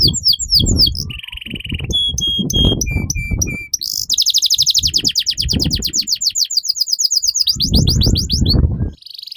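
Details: Long continuous canary song, played as a tutor recording for young canaries: a descending trill, steady whistled notes stepping down in pitch, a buzzy burst, then a long rapid rattling trill. Low rumbling noise runs underneath.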